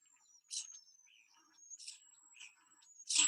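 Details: Common starling (Sturnus vulgaris) song in four sections: a thin, sustained high whistle broken by short scratchy bursts, ending in the loud, high-pitched screaming screech that carries over distance.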